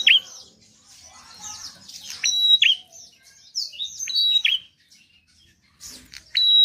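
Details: Lively song of a bar-winged prinia, used to prompt reluctant birds into singing: bursts of high chirps and drooping squeaky notes separated by short quiet gaps, ending with a clear sustained whistle.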